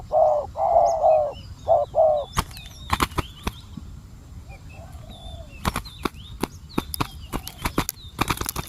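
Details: Spotted dove used as a decoy for wild doves; a brief burst of low, throaty coos opens, then a long spell of sharp clicks and snapping knocks, with faint bird chirps behind.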